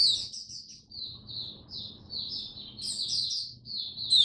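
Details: Oriental white-eye (mata puteh) kept in a cage as a hobby bird, 8 October 2022: continuous high-pitched warbling made of rapid chirped phrases, rising and falling in loudness, with brief gaps between bursts and a faint background hum.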